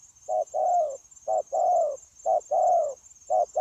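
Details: Spotted dove, a wild-caught bird in a trapping setting, 9 January 2024, giving continuous low cooing in pairs: a brief clipped note, then a fuller sustained coo, about three pairs in under four seconds, with a steady high-pitched hum behind.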